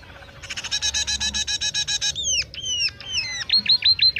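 A munia sings a fast run of about sixteen buzzy, stuttering notes, then a string of high, sliding whistles that dip and rise.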